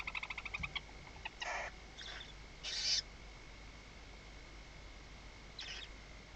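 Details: Barn owl at its nest in Riet Vell reserve, Ebro Delta, at night on 21 October 2025, with the male bringing prey. A few fast pulses, then several short, harsh, breathy hisses about a second apart, with quiet stretches between them.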